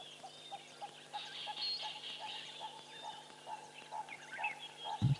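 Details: Purple-crested Turaco calling in the background at Tembe while a lioness and her pride move through bush: a long run of hollow, mid-pitched notes, about three per second, with fainter higher bird chatter, a low electrical hum and a knock at the end.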